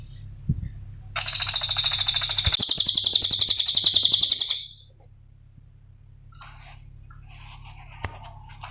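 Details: Cililin song used as a lure and training master for other songbirds: a loud, dense, rapid high-pitched trill of rattling notes lasting about three and a half seconds, then faint scattered chirps and a low background hum.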